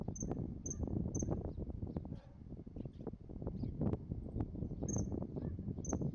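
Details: Common kingfisher at Moriya, Ibaraki Prefecture, Japan, calling: thin, piercing high whistles, three quick notes then three more, over steady low rumbling noise.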